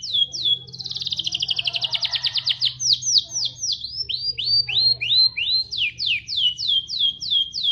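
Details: Rambetuk laut song filled with canary-style phrases: quick descending whistled notes lead into a dense rattling trill, then evenly spaced curved whistles repeated roughly three per second, with a faint low hum beneath.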